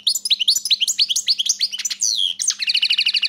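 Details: A European goldfinch delivers a continuous stream of rapid, upslurred tinkling notes, closing with a fast, evenly repeated buzzy trill; a faint hum runs throughout.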